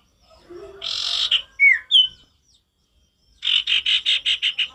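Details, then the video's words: Male sirtu singing energetically with a natural forest sound: a harsh buzzy burst, two sharp whistled notes, a pause, then a fast run of about eight rasping buzzy notes in steady succession. "Sirtu gacor gak ada lawan suara ngalas alami"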